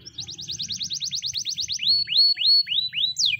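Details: A white canary sings a fast, even trill of about fifteen high notes, then slows into four rising whistled slurs and ends on a falling note, over a low hum.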